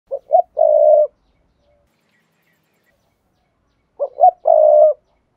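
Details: Decoy spotted dove cooing, used through a loudspeaker to provoke males into calling quickly. Two short coo phrases about four seconds apart, each with soft lead-in notes and a long low hum, on a silent background.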